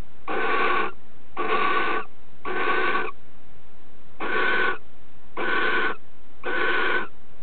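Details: Courting barn owls, the female accepting a mouse from the male and mating with it in her bill. Six breathy rasping hisses in two groups of three, with a short gap between groups.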